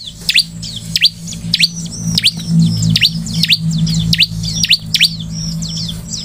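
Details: A Bar-winged Prinia, used as a lure to make other prinias sing, gives rapid, high, sharply down-swept chirps, several per second in repeated bursts, over a low steady hum.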